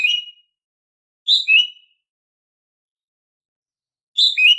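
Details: Female green leafbird giving her daily call, used to prompt silent males to sing: short two-part whistled notes, a higher note slurring down to a lower one, repeated about every three seconds against silence.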